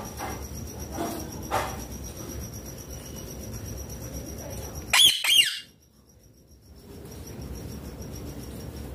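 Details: Eating chilli, a pet ringneck green parrot lets out one brief shrill double screech midway through an otherwise quiet indoor stretch.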